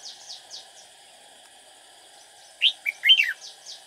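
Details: Decoy red-whiskered bulbul, a busy and fast-singing bird kept for trapping rivals. Faint repeated downslurred chirps give way to a sudden loud, quick phrase of warbled notes swooping up and down, over a continuous high insect-like buzz.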